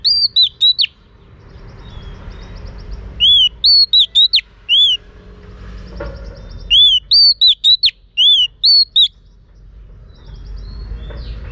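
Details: Female Oriental magpie-robin calling to arouse males. Bright whistled phrases, each a long arched note then several short slurred whistles, given in quick bursts, some phrases back to back, with faint low hum underneath.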